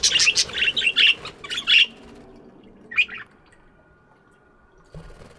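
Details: Budgies chirping in an aviary in the morning: a quick burst of bright, scratchy chirps in the first two seconds, then a lone squawk near three seconds and a quiet end.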